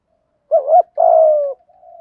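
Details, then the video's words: Spotted dove in thổ-style cooing, hen and cock, used to stir wild birds: a single low phrase, a short undulating coo and a longer even coo, ending in a faint soft note. "chim cu gáy thúc gù giọng thổ"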